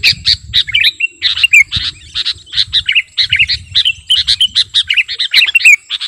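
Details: Lively sooty-headed bulbul of the kutilang garuda type, song used as master for luring; steady rhythm of crisp chirps and short bubbly warbles, evenly spaced, with a soft low rumble.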